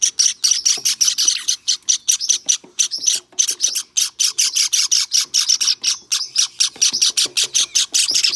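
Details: Insistent, quickly repeated high chirps from a hand-tame white Java sparrow chick, recorded 23 May 2021, keeping up an almost unbroken rhythm with only short gaps.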